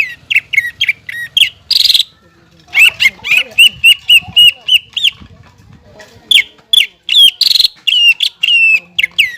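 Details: Greater green leafbird song, used to train young birds to sing: long runs of quick, sharp chirps and whistles, with harsh buzzy notes between phrases and a brief lull.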